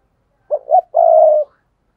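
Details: A single spotted dove coo phrase, recorded for luring wild doves: a quick pair of soft, low hoots leading into one sustained, even coo; otherwise silent.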